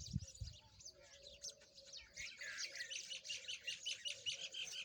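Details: Peach-faced lovebirds playing together, producing rapid buzzy chirps, roughly two or three per second, growing louder and denser halfway through, with low knocks at the beginning.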